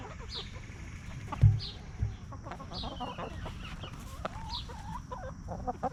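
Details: Free-range hens scratching in the dirt and snacking as they roam a backyard farm; short murmured clucks and a few rising notes, with a loud knock near the start and steady low rumble underneath.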